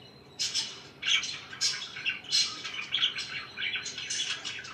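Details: Pet budgerigars begin after a short quiet moment, then chirp in uneven bursts of scratchy and whistled notes, roughly four bursts every five seconds, blending into a chattering flow.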